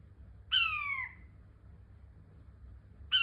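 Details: King quail giving a single loud whistled note that slides downward and fades after about half a second, with the start of a second note at the very end; faint low hum underneath.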